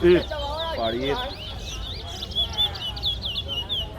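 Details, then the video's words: At a Guyana towa towa singing contest, a brief spoken word gives way to a quick falling warble, then a stream of high, sweet whistled notes; onlookers chatter around the birds. "Super Towa Towa Competition"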